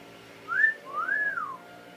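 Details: A pet parrot in a small room whistles a short rising note and then a drawn-out rise-and-fall whistle, clear above a low steady hum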